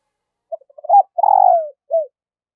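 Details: Decoy spotted dove calling in the morning to lure wild doves: a few soft, clipped lead-in notes, one long, mellow, slightly descending coo, then a short closing coo. No other sounds.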